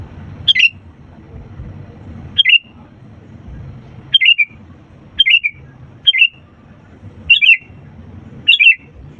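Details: Sooty-headed bulbul in lively song, played to coax reluctant birds into singing: seven brief warbling note clusters at uneven gaps of one to two seconds, with faint low background noise.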